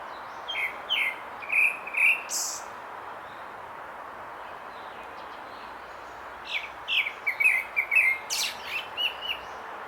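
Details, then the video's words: Grey-backed thrush singing in two bursts separated by a pause of about four seconds, each burst a string of short whistled notes and high thin twitters over a steady hiss of background noise. "되지빠귀 ( 노랫소리) Grey-backed Thrush ( birdsong )"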